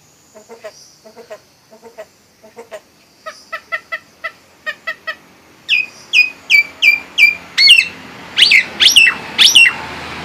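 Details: Nias hill myna singing, opening with soft low clicking pulses in quick pairs that grow louder, then shifting to loud, ringing whistles that sweep downward, repeated about twice a second.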